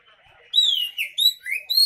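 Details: Oriental magpie-robin singing persistently, played to coax silent magpie-robins into song: loud clear whistles with downward slides and a quick rising note, after a quiet start.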